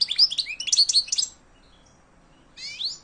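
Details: ['European goldfinch, silvestrismo song: a burst of rapid high, bubbling twitters lasting about a second, a pause, then a short buzzy rising phrase.']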